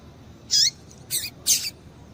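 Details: Female rusty-collared seedeater, or coleiro, calling to excite males: three quick high chirps within about a second, the first with a distinct falling tail, against a quiet hiss.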